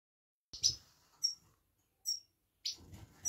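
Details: Female Himalayan goldfinch giving a 'peet peet' call to excite males: four short, sharp, high chirps spaced irregularly over about three seconds, with silence between them.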